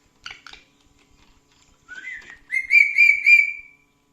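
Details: Talkative pet parrot indoors whistling: two short chirps, a rising slurred whistle, then a run of four clear, level whistled notes, each held briefly, in a quiet room.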